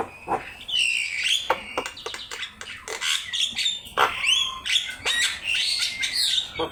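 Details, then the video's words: Javan myna singing energetically, recorded as a training master for songbirds: a busy, varied run of harsh chattering bursts mixed with short rising and falling whistles, with hardly a pause. "Suara jalak kebo gacor"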